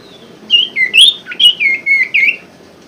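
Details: Common Iora (sirtu) singing as a prompt for caged birds that have stopped singing: a continuous run of loud warbled whistles, wavering up and down in quick linked phrases about three seconds long.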